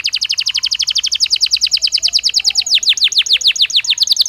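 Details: Belgian canary singing naturally, intended for daily training stimulus: an unbroken rapid trill of repeated notes that shifts midway into slower, sharply descending whistled sweeps.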